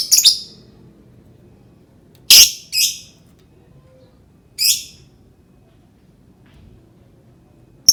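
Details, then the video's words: Lovebird call used to provoke other birds: a few isolated sharp, high harsh squawks separated by pauses of one to two seconds, in otherwise quiet surroundings. "Suara burung lovebird pancingan"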